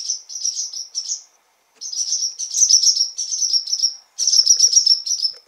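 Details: Barn swallows in a stable on June 28: fledglings making first flights while anxious parents fly around people in the aisle. Rapid high twittering chirps come in bursts of one to two seconds, separated by brief silences.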